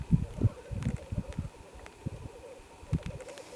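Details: Black grouse (Lyrurus tetrix) at a site in mid-Wales, very early on a gloomy February morning in 2018. Faint, low bubbling coos roll on in uneven pulses, with quieter stretches between bursts.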